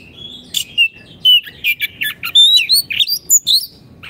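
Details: Energetic song of a caged Oriental magpie-robin, meant for teaching silent caged birds: dense run of short whistled notes, upward slurs and harsh raspy chips, with faint low background rumble.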